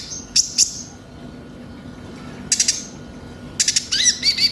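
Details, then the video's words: Van Hasselt's sunbird (konin) song played as a lure to get captive birds singing: a few short, very high, sharp chirp bursts spaced apart, ending in a quick run of thin rising notes. "Pancingan suara burung konin bahan cepat gacor"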